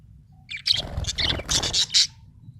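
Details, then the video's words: Happy budgerigar chirping in a quick burst: scratchy, buzzy high chirps and chattered notes packed into about two seconds, with a couple of louder sharp squeaks near the end. "Happy budgie chirping sound"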